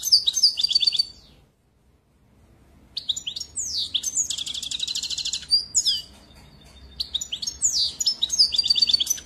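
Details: European goldfinch singing rapid liquid twitters and a long buzzy trill, a short silent gap after the first second, then continuous tinkling phrases with slurred downward notes.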